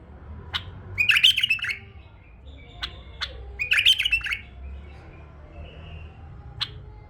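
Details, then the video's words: Tame male bulbul kept as a pet: sharp single chirps alternate with two fast, bubbly warbled phrases, the notes spaced irregularly over a low background hum. "أحلى تغريد بلبل فحل أليف أسمع نقاوة الصوت"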